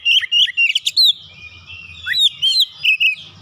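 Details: Caged household Oriental magpie-robin in ngoyak song, showing off its repertoire after hearing another bird: loud, fluty and sharply modulated whistles in quick clusters, with a softer sustained twitter between them.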